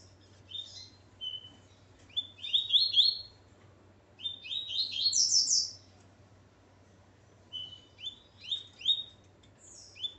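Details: Coleiro (Double-collared Seedeater), a male with his female, sings in phrases of quick, buzzy, down-slurred high notes and short whistles. The phrases come in bursts separated by brief pauses, over a faint low hum.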